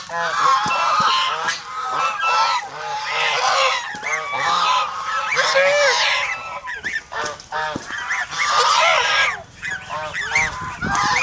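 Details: Noisy chorus of domestic geese from an aggressive, protective farm flock in the Philippines: dense overlapping nasal honks with rising and falling inflections, sustained for about eleven seconds with barely a break.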